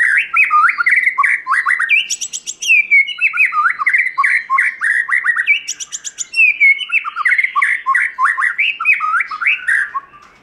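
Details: Forest-voice song of a white-rumped shama, used for voice training and to rouse other shamas: rich, fast phrases of looping whistled notes, broken twice by brief, very high buzzy rattles.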